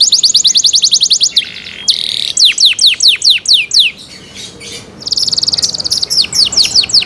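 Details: Canary delivering cenkok song: quick high trill, a short harsh buzz, descending whistled sweeps, a quieter pause, then a bright sustained trill and more sweeps.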